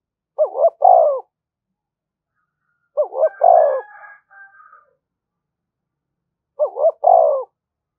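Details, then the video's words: Decoy spotted dove calling continuously to goad rival doves into fighting: three stuttering low coo phrases about every three seconds, with a faint higher wavering call between. "Tiếng chim cu gáy mồi thúc đấu rút bổi liên tục, chim cu đất thúc đấu"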